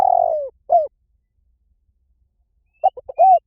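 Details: A spotted dove call meant to draw in birds. Opens on the tail of a long wavering descending coo and a short falling note, then a pause before the next phrase starts with stuttering short notes and a rounded coo.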